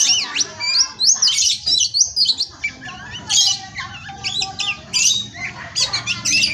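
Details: Captive Oriental magpie-robin (kacer) at an Indonesian breeding farm, a 'pastol' tutoring song: rapid sequences of zigzag whistles and chattering notes, repeated in energetic loud bursts separated by brief pauses.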